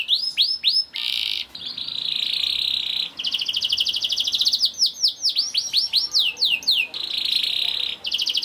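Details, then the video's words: Vigorous young canary song played to prompt other canaries to sing: alternating buzzy sustained trills and rapid chattering rolls, with bursts of loud swooping downslurred whistles. "KENARI GACOR DOR NGEDUR NGOTOT CUIT CUIT NGEROL AMPUH PANCINGAN KENARI PAUD"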